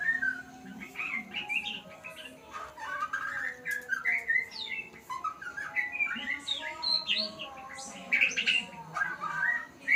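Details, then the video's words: White-rumped shama in a learning session: varied whistled phrases, rising and falling chirps and quick twitters repeated throughout, steady low background hum. "Murai pastol belajar Bunyi"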